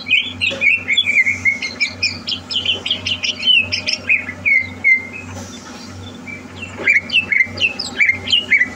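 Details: Greater green leafbird prepared for a song contest sings quick chirping and slurred whistled notes, pauses briefly mid-clip, then resumes with clear downward-sliding whistles about twice per second; low hum behind.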